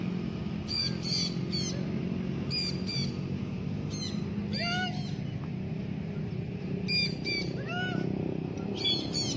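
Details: Blue-backed parrot in free flight, giving harsh, stacked squawking calls in short bursts of two or three, some with sweeping rising or falling notes, over a steady low rumble of engine and rural background noise.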